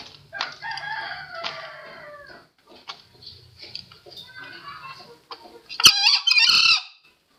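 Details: Green junglefowl, a lure recording for trapping: rough, scratchy calls repeated in the first half, a quieter stretch, then a loud, harsh two-part crow near the end.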